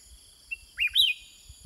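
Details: Sooty-headed bulbul kept in a cage, answering wild birds with a brief whistled phrase: a soft click, then two swooping notes, the second brighter and higher, with a thin high background drone.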